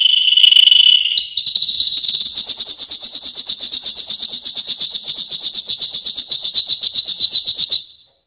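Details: Yellow canary delivering a sustained song: a brief lower warble, then a long, very regular rapid trill of sharp high notes repeated many times before fading out.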